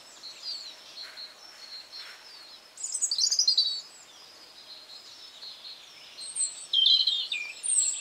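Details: European robin singing in a garden in spring, high twittering warbles over a busy background of distant birdsong and hiss, louder phrases near the middle and end.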